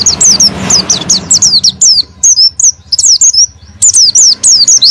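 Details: Oriental white-eye song to rouse a silent bird: clusters of high, down-slurred whistles in irregular groups, with brief wingbeat-like rustles and a low background murmur at first.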